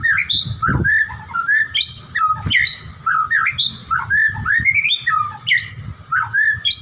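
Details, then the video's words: White-rumped shama singing a loud, rich run of varied whistled phrases, each swooping up or down between mid and high pitch, delivered almost without pause, with occasional low dull thumps beneath. "murai batu"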